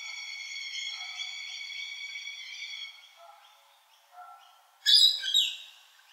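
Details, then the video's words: An Australian Pied Butcherbird (Cracticus nigrogularis) holds a long, clear, slightly wavering whistled note for about three seconds, then gives soft short phrases and ends with a harsh, scratchy burst. "Butcherbird | Australian Bird Song & Calls"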